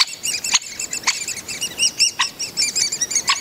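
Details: Nestling Great spotted woodpeckers begging as their parents feed them, Mønsted Kalkgruber, 30 May 2020: rapid high squeaky chirps in pulsing bursts, broken by a few sharp knocking clicks.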